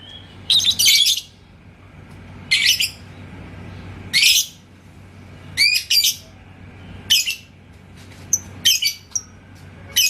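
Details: Lively yellow lovebird (labet koneng) in Indonesia, provoked by a rival bird's song: repeated harsh, shrill squawky bursts mixed with short thin whistled notes, coming every one to one and a half seconds.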